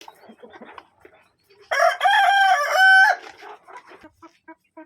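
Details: A Kadaknath rooster gives a single loud, drawn-out crow lasting over a second, with soft clucking before and after.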